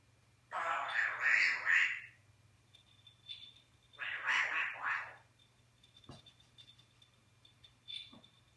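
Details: Eclectus parrot from New Guinea, a talking pet bird that speaks English and Flemish, recorded 21 January 2015: two loud, harsh, raspy bursts, the first about one and a half seconds, the second about one second, then faint clicks and a low hum.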